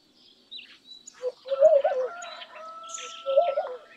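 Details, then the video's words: A laughing dove sings low, soft, wavering coos in two short bursts, the second after a pause of nearly two seconds, over scattered higher chirps and a faint whistled tone from other birds. "Laughing Dove Call ! Laughing Dove Song ! Laughing Dove Sound ! Voice ! Vocals ! Noise ! Cooing"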